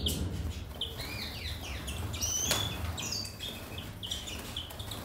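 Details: Captive-bred European siskins feeding in Gozo, Malta, twitter steadily with thin, high chirps and short falling whistles, one sharper whistle standing out midway, over a low rumble and a single click.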